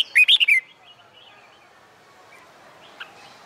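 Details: Red-whiskered bulbul in summer sunshine giving its competitive song: one burst of four liquid, warbling notes at the start, then near silence with a single faint chirp later.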